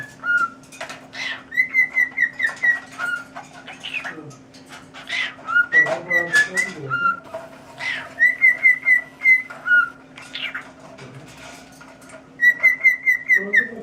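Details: Pet cockatiel singing the tune "Tequila" as a whistled phrase of clear notes repeated four times, each run of quick notes ending on a lower one, with scratchy noises between and a steady background hum.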